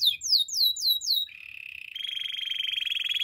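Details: Belgian canary singing for song training: several clear descending whistled sweeps, then a switch to a fast, even, buzzy trill held on one pitch that rises slightly partway through.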